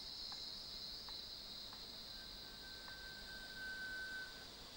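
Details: Rail-babbler at Krung Ching Waterfall gives a single drawn-out, pure whistle lasting about two seconds, rising very slightly in pitch. Several short clicks come before it, and a steady high insect drone fills the background.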